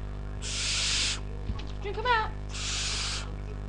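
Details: Four-week-old pet male barn owl, hand-raised, screeching and climbing the cage bars because he wants out. He gives two long, harsh, breathy hisses, each under a second, with a brief human voice between them.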